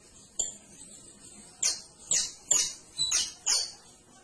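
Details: Canary singing a series of five high, buzzy chirped phrases spaced about half a second apart, after one faint early note, over a quiet background.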